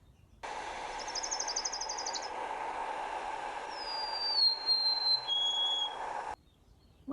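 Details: A Golden-crowned Sparrow, a winter visitor in a California backyard, sings slow, clear whistled notes that step downward in pitch after a brief high buzzy trill, over a steady background hiss.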